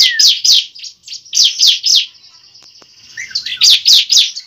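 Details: Bar-winged prinia fighting song used to prompt a kept bird to sing: strident, buzzy high notes repeated four times a second, a soft steady tone between phrases, then another rapid burst.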